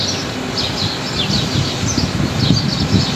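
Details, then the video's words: Bird chirping on a pleasant, not-too-hot day while wind moves through a tree during window cleaning: a run of quick, high, sliding chirps, repeated several times, over rustling and low background rumble. "Ganda pakinggan ng huni ng mga ibon"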